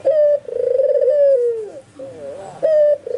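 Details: White albino Barbary dove calling energetically with answering spotted and zebra doves nearby; a long pulsing coo that curls down, a quieter gap of softer cooing, then a fresh short note begins again.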